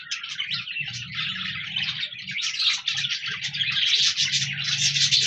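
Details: Budgerigars, colourful pet parakeets, recorded 14 January 2024, chattering in a dense, continuous mass of warbling chirps and short squeaks with no pauses, with a faint low hum running underneath.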